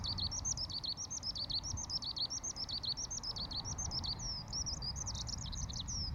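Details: In Ibaraki Prefecture, Japan, a Eurasian skylark pours out a continuous, high, rapid warble of chirps and trills while hovering and diving over a cogon-grass campsite, on a cool, cloudy morning with a soft breeze rumbling underneath.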